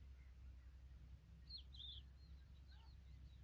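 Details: Familiar chat mother tending her young, giving a brief cluster of high, squeaky, twisting chirps mid-clip, then fainter repeats over a constant low background drone.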